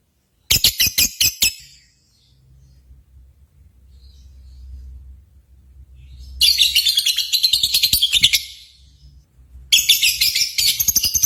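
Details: Lovebirds at a singing contest, played to stir pet lovebirds: three bursts of quick, shrill chirping trills separated by quiet gaps with low background hum.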